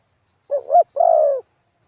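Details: Spotted dove decoy bird, 'karam pa' wild-style song with 'khat' and 'nun': one phrase of a short upswept double coo followed by a long, soft, evenly held coo.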